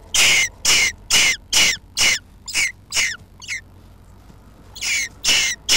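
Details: Jackdaws at a nest under a roof give loud, scratchy, hiss-like calls roughly twice a second. The calls fade to weaker ones, then stop briefly before three more loud bursts.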